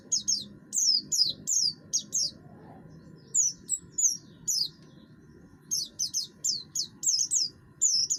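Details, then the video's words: Buxtoni oriental white-eye singing harshly, a bird used for provoking others into song: clusters of sharp high descending notes separated by brief pauses, over a soft low hum. "pleci buxtoni gacor, suara kasar, cocok untuk memancing bunyi"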